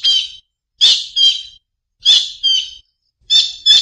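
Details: Paired, raspy two-part calls of a collared kingfisher, each pair a loud harsh note followed by a slightly softer one, repeated about every second and a quarter.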